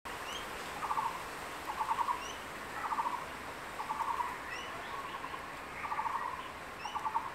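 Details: Male crested goshawk at its nest in secondary forest, holding a freshly caught lizard and calling the female to eat: short pulsed chattering bursts, each about half a second, repeated roughly every second, with thin high chirps of other birds above.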